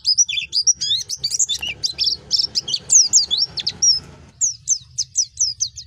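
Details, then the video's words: Fast, dense warbling from a wild-type white-eye, meant as a tutor for young birds, pouring out nonstop high chirps for four seconds before spaced, repeated descending notes. "Masteran pleci ngalas untuk meningkatkan emosi burung pleci muda"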